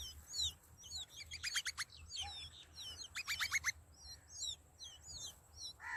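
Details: Hungry sparrow nestlings in the nest calling for food from a parent: rapid high, thin chirps and squeaky slurred notes, broken by short bursts of harsher stacked calls.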